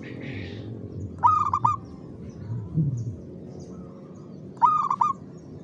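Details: Perkutut, the zebra dove, in late afternoon at 5 pm after being hoisted up; two short purring coo phrases of quick stuttered notes, about three seconds apart, with low rumbling background noise.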